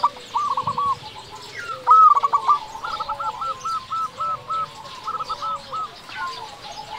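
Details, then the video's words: Local zebra dove, a perkutut singing actively, its recording used to lure other doves and stir them to sing: a series of soft, rounded coos repeated in quick rolling runs, with a steady hiss of background noise throughout. "Perkutut lokal gacor putar suara ini dengan volume kecil saja 100% langsung nyaut"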